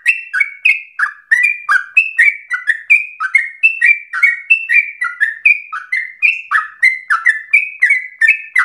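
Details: Sooty-headed bulbul in persistent, rapid 'ropel' song used as a tutor to spur singing: continuous chain of mellow whistled notes, alternating steady and falling tones, about three per second, no other sounds.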